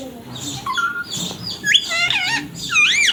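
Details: Pet ringneck parrot giving rapid strained chatter and rising, warbling squawks, louder toward the end, over low background noise.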